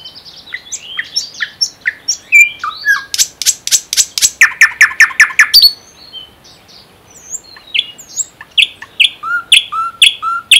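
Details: ['Common nightingale singing in the Unzha river floodplain and Kologrivsky Forest reserve, Russia: varied whistled and chirping phrases, then a burst of loud rapid strokes and a buzzy repeated trill, followed by more scattered sharp notes.']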